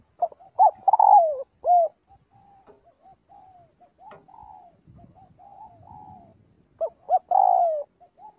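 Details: Spotted dove calling its flock in daily voice training; a phrase of short coos and a long falling note, a quiet low-cooing pause, then the phrase repeated.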